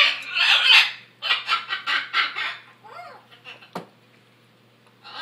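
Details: Noisy macaws giving a loud harsh squeal, then a rapid run of about six raspy squawks, softer calls and a sharp click before a final screech.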